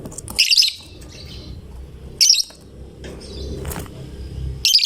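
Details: Chatty fighter lovebird that prompts other lovebirds to sing: short, piercing buzzy chirp bursts separated by pauses of one to two seconds, with a low rumbling background.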